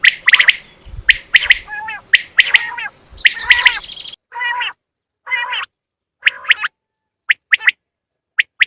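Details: Quail calls for luring quail during a hunt: sharp triple notes repeated around once a second with some grating notes, then isolated rasping notes and single clipped notes spaced out after a pause.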